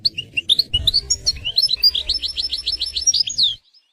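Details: European goldfinch singing in the wild in a scenic natural setting: a fast, tinkling twitter of varied high chirps that runs into a rapid series of repeated clipped notes, ending abruptly after about three and a half seconds.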